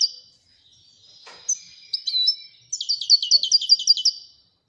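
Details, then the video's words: European goldfinch, royal type, giving thin high twitters and a short phrase, then a rapid liquid trill of about ten bright repeated notes. "Le twitter et chardonneret royalتغريد طائر الحسون الملكي"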